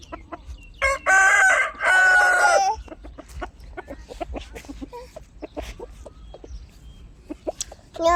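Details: Chickens kept by their owner: two loud, strained, harmonic squawking calls of about a second each, followed by scattered soft clucks and clicks over quiet low background noise.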